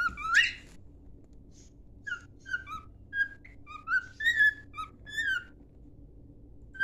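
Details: Cockatiel song for training, from a pet bird: a harsh rising squawk opens, then a string of short clear whistled notes, some rising and some falling, spaced irregularly, with a faint steady hum beneath.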